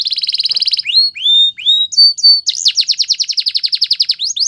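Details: Song of a canary: a buzzy rolling trill, several rising whistled slides, a short steady high tone, then a long run of quick, sharply repeated descending notes.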